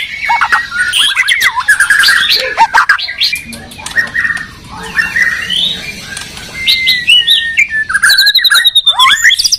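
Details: A Medan and a Borneo white-rumped shama duel in song. Harsh squawks and chatter mix with clear rising whistles, with a faint low hum in the background.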